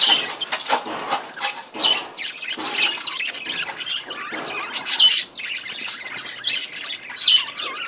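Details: Breeding colony of budgerigars: dense, continuous high chirping and squeaky chatter from several birds, with frequent sharp clicks throughout.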